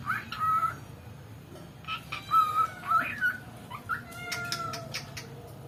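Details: Pet cockatiel, a talking bird said to copy everything the owner's mother says and able to sing, gives a series of clear, level whistled notes in a tune-like sequence, with faint room noise.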